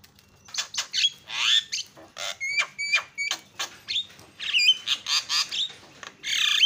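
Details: A Javan myna lure recording meant to set other mynas calling. It carries a varied series of harsh squawks mixed with short ringing whistles, repeated at irregular intervals.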